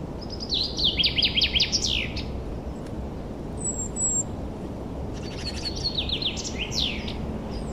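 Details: Forest birds singing in spring: bursts of high, thin, rapidly repeated chirps and descending whistled notes, one phrase near the start and another after a pause, over a steady low background hum.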